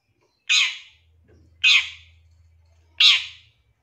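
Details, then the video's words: Long-tailed shrike, a raw 'bahan' bird whose calls are played to coax shrikes into quick, excited singing. Three coarse rasping shrieks sound at uneven gaps over a soft low drone. "Langsung Nyaut Pancingan Suara Pentet Bahan Agar Cepat Bunyi & Emosi"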